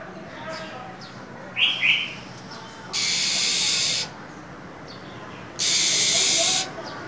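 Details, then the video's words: In cold winter a female than songbird gives a quick pair of high chirps, then two long, harsh hissing bursts separated by a quiet pause. "Than mái khè, rít liên tục, kích trống mở mỏ giữa mùa đông giá rét!"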